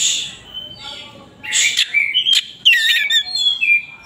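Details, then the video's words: White-rumped shama giving a busy song of quick chirps and whistled slides mixed with harsh rasping bursts, a faint steady hum underneath. "kacer gacor buka ekor"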